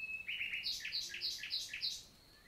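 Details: A common nightingale sings on a June morning, 2023, in forest of the Célé valley, Lot, France: a thin whistle, then paired high-and-low notes repeated five times in a quick, even, chiming rhythm.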